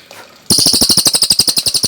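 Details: Cage-bird training song of a Cililin: after a quiet start, a vigorous rattling trill of high, piercing, evenly spaced notes fills the rest.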